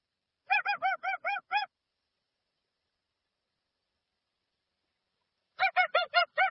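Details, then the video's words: Honking call of a dusky-legged guan in an unaltered recording: a rapid series of six harsh, nasal, rounded notes, then a long silent gap before another matching burst of five. "Som limpo do canto🎵 do Jacuguaçu. Som original da ave, sem interferência de efeitos sonoros."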